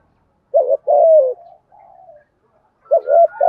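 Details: Đồng Nai spotted dove with a 'thổ' voice singing 'thúc gù' coos for training decoys: a short double hoot, a longer descending coo and a soft trailing note, then the phrase starts again.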